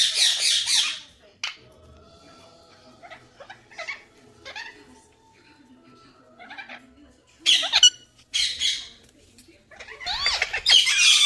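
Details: Green talking parrots let out short, loud bursts of harsh screeching at the start, middle and end, separated by quieter stretches with faint, scattered chirps.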